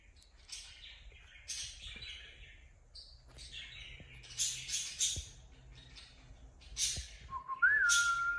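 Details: Pet cockatiel indoors with a run of buzzy, scratchy chirps, followed at the end by one clear rising whistle that holds steady.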